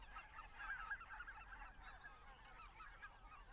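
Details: Greater white-fronted geese migrating in flight over Estonia in spring, heading to Arctic breeding grounds, call together in a dense, overlapping chorus of high, yelping, laugh-like notes, several each second with no steady rhythm.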